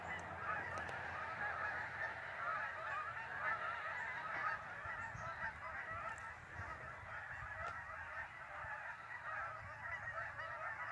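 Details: Migrating geese over Lake Champlain in northern New York: a dense, continuous chorus of overlapping nasal honks from many birds, steady throughout, with a faint low rumble underneath.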